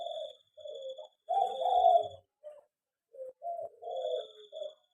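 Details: Zebra dove in an aviary, a local perkutut, utters a few soft, gurgling coo notes separated by short silences, with one louder rolling phrase in the middle.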